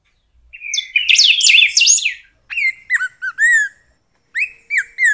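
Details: Golden-billed saltator: a dense burst of twittering, jumbled high notes gives way to a run of clear slurred whistles, a longer arched whistle, then more short whistled phrases.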